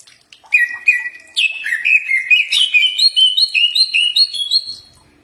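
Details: Green leafbird training song meant to provoke an answer: varied whistles building into a lively string of rising slurred phrases, repeated roughly twice a second, with faint harmonics above.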